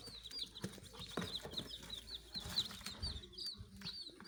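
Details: Young chickens give a lively series of thin, high, sharply rising-and-falling peeps, roughly three to four per second, with occasional low thuds and scratching beneath.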